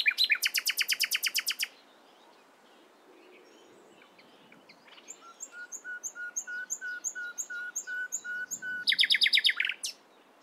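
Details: Nightingale singing in the morning: a loud, rapid broadband rattle of about twelve notes, a pause, then a steady series of repeated whistled notes that build into another fast, harsh trill.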